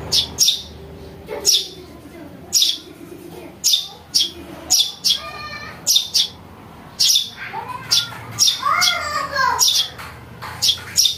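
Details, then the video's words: Recording of a young house sparrow used for luring: a long run of harsh, high chirps, with lower harmonic rising and falling calls mixed in near the end. "Suara anak burung greja untuk mikat"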